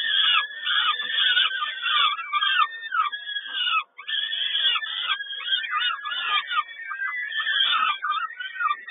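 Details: Peregrine falcon feeding at Kawęczyn on 10.05.22, begging heard as a steady wall of shrill, curved wailing notes, overlapping and repeated rapidly, with one brief break partway through.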